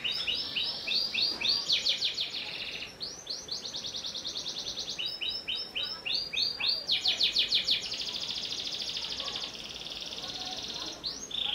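A canary sings a long, unbroken run of rapid trills and rolling chirps, fast repeated notes high in pitch, shifting between bright tours without pause.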